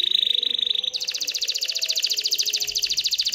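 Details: Canary song aimed at stimulating females to mate and build a nest, with a fast high trill that abruptly shifts into a louder, broader buzzy trill rolling steadily to the end.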